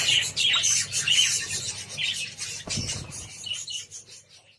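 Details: Java sparrows eating wheat grain give a steady stream of high, bright chips and twittering notes, about two a second, with a soft knock partway through.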